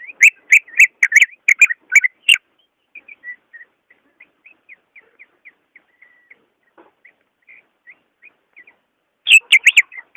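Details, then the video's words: Recording of greater green leafbird song to stimulate a quiet caged bird: a loud rapid volley of rich whistles, then a long run of soft, regularly spaced faint notes, ending with another loud, fast warbling burst. "SUARA ASLI BURUNG CUCAK IJO"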